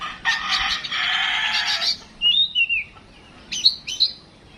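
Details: Home-kept Oriental magpie-robin under a mental test: a long harsh rasping buzz, then bright downward whistles and two sharp high chips.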